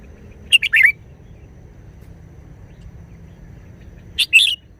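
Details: Red-whiskered bulbul in wild-style song (phleng pa), delivering two short, bright, chirping phrases of rapid, bubbly notes separated by nearly four seconds of near silence.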